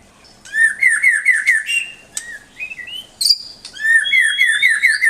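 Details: Tutor recording of a white-rumped shama for pet songbirds. Rapid rolling trills of repeated slurred notes open and close the passage, with short whistled phrases, a sharp high note and a long rising whistle between them. A faint low hum sits below.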